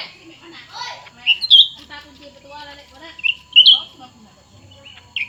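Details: Competing song from two cucak ranting birds, new and old: quick whistled flourishes over a busy layer of chattering, scratchy sounds, with a last whistle at the end.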